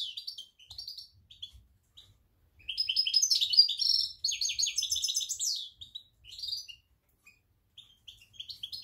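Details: European goldfinch, jilguero parva, in October: scattered high twitters open into a sustained burst of rapid tinkling and buzzy trilled phrases, then trail off into separate short chirps.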